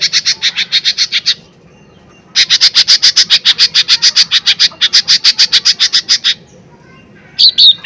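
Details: A lively lesser green leafbird, used as a lure to trigger rival birds, delivers long fast strings of sharp high chips, a short run, a pause, then a long volley of about twenty notes, ending with a brief squeaky whistle.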